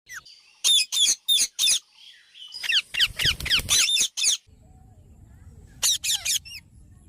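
Alexandrine parakeets give loud, harsh, rasping squawks in quick bursts of four to eight, rising and falling in pitch, with a low rumble of background noise.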